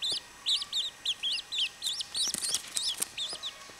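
Chachalaca chicks give a run of high, thin, up-and-down peeps, about three per second, with soft knocks and rustles toward the end.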